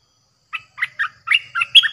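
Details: Streak-eared bulbul luring song for wild birds: separate chirps that speed into a tumbling, liquid phrase of slurred notes, with a faint low hum beneath.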